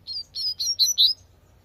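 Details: A wild double-collared seedeater sings a tui tui phrase: five clear, piercing, rising notes in quick succession, each louder than the last, then silence.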